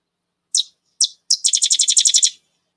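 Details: Sedge wren (Cistothorus stellaris) territorial song, likened to a little machine gun: two dry, high clicks, then a fast chattering trill of about a dozen notes.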